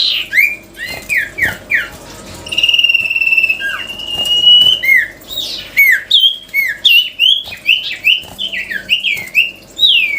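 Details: Sirtu songbird singing a melodious, lively song: quick series of high, down-slurred whistled notes, some hooked and repeated in bursts, with one long steady whistle in the middle and short pauses between phrases.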